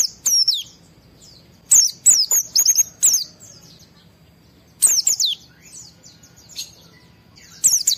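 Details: Highly worked-up white-eye song, played so other white-eyes respond: three separate bursts of shrill, tumbling chirps sliding downward, separated by quiet stretches of one to two seconds.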